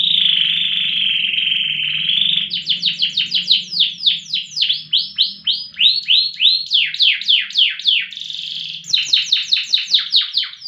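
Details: Loper canary with strong, long-lasting song: a steady buzzy warble for two seconds, then loud sweeping whistled notes repeated in rhythmic bursts, broken by a brief buzzy roll.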